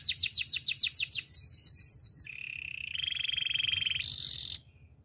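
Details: Training song of a Spanish timbrado canary: rapid descending whistled notes, a tighter run of shorter notes, a long low buzzing trill that rises in pitch, then a sharp high trill that stops abruptly.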